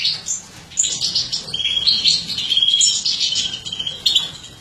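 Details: Captive mutated female goldfinch, embuchando (feeding), sings a continuous lively twittering phrase of high chirps and a clear whistled stretch, ending in a sharp burst.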